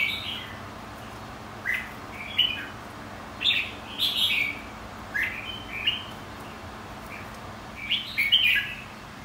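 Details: Red-whiskered bulbul trained for singing contests, white-cheeked type: a lively run of about eight bright, warbling phrases, each under a second, given in quick bursts with short pauses between.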